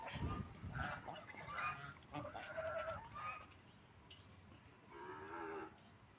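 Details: Ducks calling while eating food and drinking water; repeated nasal, honking calls come in short bursts, with a louder group near the start and another toward the end, over soft background noise.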